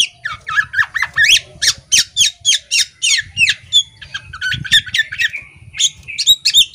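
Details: Female Oriental magpie-robin, caged, fanning its tail while singing energetically: rapid series of harsh, buzzy notes about three per second, then varied whistled phrases, over a low electrical hum.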